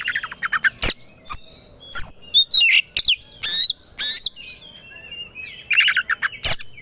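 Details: Fighting-mood kacer (Oriental magpie-robin) song: rapid mid-pitched note runs, loud harsh bursts, high sliding whistles and a long level whistle, ending with fast clustered notes.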